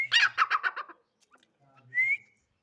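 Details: Female grey francolin (dakhni teetar) calling: a rapid series of about six harsh, loud notes, a short pause with faint clicks, then one clear whistled note sliding upward.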